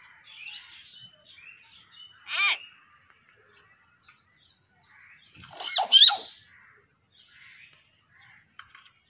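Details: Talking common hill myna in a garden: soft chattering chirps throughout, broken by a loud descending harmonic note and then a pair of harsh, rising squawks, in a quiet setting.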